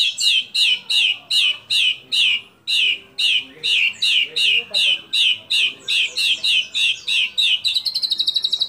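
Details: White-rumped shama singing without pause, its song filled with imitations of kapas tembak, cililin, lovebird and canary. A strong, even run of loud descending chirps about twice a second ends in a quick high buzzy trill.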